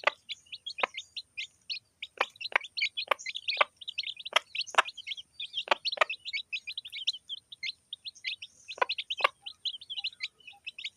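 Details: Village hen and chicks feeding together: continuous high, thin chick peeps in quick runs, broken by frequent sharp clicking taps, likely pecking.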